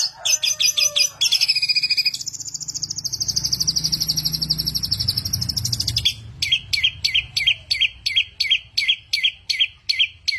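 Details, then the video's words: A songbird said to produce a thousand and one different sounds, singing loudly: a few varied high chirps, then a long buzzy high trill held for about four seconds, then sharp chirps repeated about three per second over a low background hum. "burung jenius 1001 suara,suara cetar"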